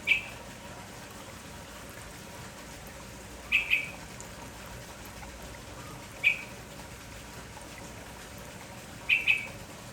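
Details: In the morning a lively village red-whiskered bulbul gives short, sharp chirps, single or paired, repeated every two to three seconds over steady low hiss.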